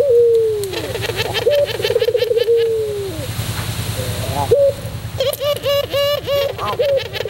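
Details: White puter pelung dove performing its song: a long, falling coo, then a burst of pulsed, rolling coo notes. After a pause, more coos come with sharp chirps from another bird mixed in. A low mechanical hum runs underneath.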